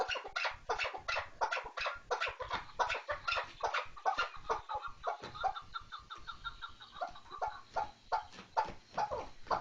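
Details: Chukar partridge calling with a rapid string of raspy clucks, joined midway by a softer, faster chattering series underneath, continuing to the end.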